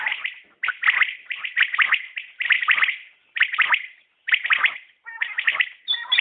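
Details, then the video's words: Calling common quail in fast, overlapping bursts of crisp repeated notes, phrases about once a second, ending with a few thinner tonal notes. "Batair Ki Awaz | Common Quail Calling"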